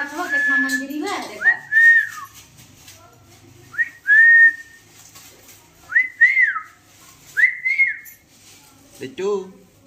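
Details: Small pet talking parrot indoors giving a series of clear whistled notes, each arching up then down, in bursts roughly every one to two seconds, with a brief low voice-like sound at the start and a short sound near the end.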